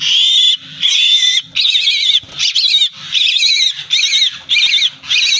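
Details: Baby common myna that fell from its nest gives loud, harsh, wavering squawks in repeated bursts of about half a second, with short gaps between them.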